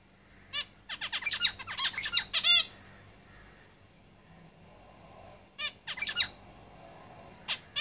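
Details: Caged zebra finches singing: a quick run of buzzy, nasal, harmonic notes for about two seconds, a pause, then a second shorter burst of similar chattering syllables and a final lone note.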